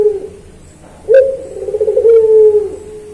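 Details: Singing puter pelung turtle dove, used as training material for kept doves: after a quiet start, one long low coo opens into a quick bubbling trill and settles on a steady held note, with faint low rumble behind.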